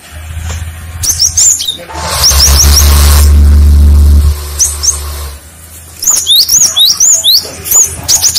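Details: Lure song of a cinereous tit to draw replies from other tits: sharp high whistled phrases in bursts, partly masked by a loud low hum and broadband noise in the middle.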